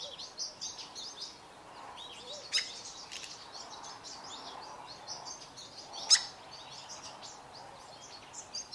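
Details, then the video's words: Pair of Fork-tailed Drongos singing together: steady series of short, high, clipped twittering notes with two loud sharp cracking calls breaking through. "Fork-tailed Drongos singing"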